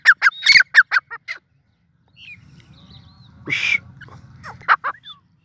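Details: Grey francolin (Irani teetar) calling in a quick burst of harsh, clipped notes lasting over a second, then quiet, a loud rasping noise, and a few more harsh notes.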